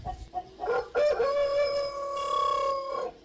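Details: Domestic chickens in a suburban garden in Gqeberha, South Africa, excited as a neighbouring Hadeda ibis chick hatches, give a few short clucks, then a loud, drawn-out, nasal crow held nearly two seconds before breaking off.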